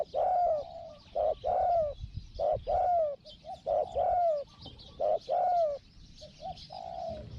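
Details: Decoy spotted dove calling to draw in wild doves, described as small-voiced 'hong hong'. A steady run of loud hoarse coos, pairs of a short note and a longer falling one, repeated about every second.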